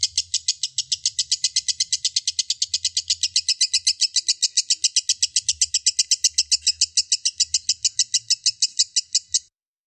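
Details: Long 'ngekek' from a lovebird, recorded as training material for song contests: nearly ten seconds of fast, high, rattling pulses, steady and unbroken, ending abruptly, with a faint low hum underneath.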